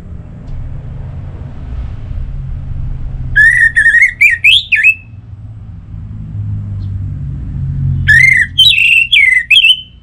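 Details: Orange-headed thrush song from North Bali, played to lure other birds into full, bold singing; two loud whistled phrases of rising and falling warbled notes, about four seconds apart, over a steady low rumble of passing vehicles.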